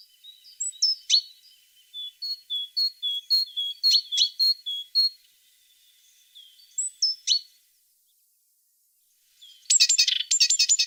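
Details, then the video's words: Singing tit repeating short, high slurred notes at a steady quick pace for several seconds, a few sharper accents within, then a pause and a final burst of buzzy rasping notes. "The sound of a tit singing"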